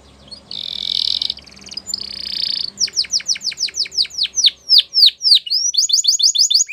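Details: Canaries singing: a buzzy, steady high tone broken into two long bursts, then a fast run of sharply descending whistled notes, about three per second, ending in quicker rising-falling chips; faint low hum underneath.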